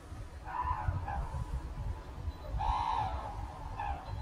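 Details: Red-crowned crane taking off from Ito Sanctuary in Tsurui village, Hokkaido; two bursts of loud honking calls with strong harmonics, near the start and around three seconds, then a shorter note, over heavy low rumbling background noise.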